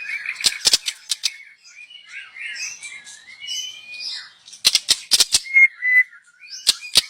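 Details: Young wild white-rumped shama song used as a lure: soft warbled phrases and a thin steady whistle between bursts of sharp high clicks, fairly quiet overall.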